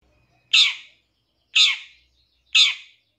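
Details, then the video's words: Long-tailed shrike, a 2023 champion contest bird, giving a lure call meant to provoke other shrikes into singing and agitation: three loud, harsh, rasping notes, one per second, each sharply attacked and quickly fading. "Langsung Nyaut Pancingan Suara Pentet Bahan Agar Cepat Bunyi & Emosi ~ CENDET JUARA 2023"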